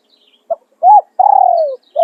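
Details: Decoy spotted dove crowing in a bird-luring session: a brief clipped note, a rounded coo, then a long buzzy purr sliding gently downward, with the next phrase just starting. Thin high chirps in the background.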